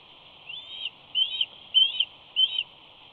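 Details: Young wild bald eagle at Big Bear, 25 May 2019, mantling on the nest as a parent flies in with prey, giving high, thin, whistled screes that rise slightly, four calls about every 0.6 seconds over steady low background hiss.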